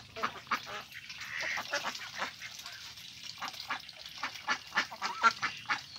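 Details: Several ducks, including Mandarin ducks, mallards and Pekin ducks at a pond, quack in a loose, busy chorus, with short nasal calls about twice a second at uneven intervals.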